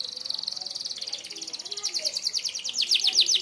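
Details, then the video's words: Canary singing a sharp 'merlok' shot-style song used for mastering other birds: fast, even trill of high notes, with pulses quickening and rising into brighter rapid sweeps near the end. "tembakan tajam kenari merlok"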